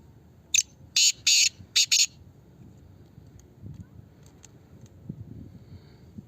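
A Black francolin gives a quick run of five harsh, grating, broadband notes over about a second and a half, then falls quiet with faint background murmur.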